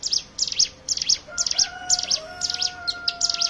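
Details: Hill prinia singing, played as a lure to get other birds to sing: bright high double chips repeating about twice a second, with a faint thin whistled tone running underneath midway.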